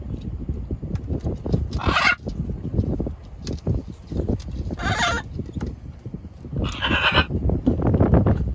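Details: Macaws aboard a boat: three harsh, raspy squawk bursts, each about half a second long and roughly two to three seconds apart, over a constant low rumble that sounds like an engine.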